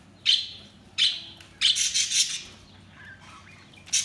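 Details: Budgerigars chirping: sharp, bright high chirps in short bursts near the start, a denser cluster of scratchy twittering in the middle, and a final chirp at the end.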